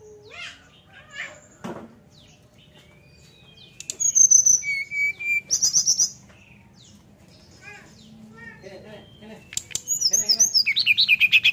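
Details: Brown-chested jungle flycatcher in 'nyuling' flute-like singing to coax other birds into song: scattered soft chirps and clicks, bursts of high sweet whistles, and a final fast repeated trill of descending notes.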